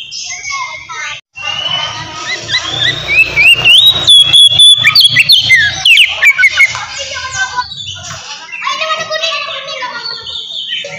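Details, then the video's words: Oriental magpie-robin (kacer) in loud, open 'ngeplong' fighting song, meant to provoke aggression and mating mood in other birds: rich, varied whistled phrases and rapid rising and falling trills, fast and continuous, with a steady low hum beneath. "KACER NGEPLONG GACOR TARUNG!! INI AMPUH BUAT MANCING EMOSI DAN BIRAHI KACER BAHAN"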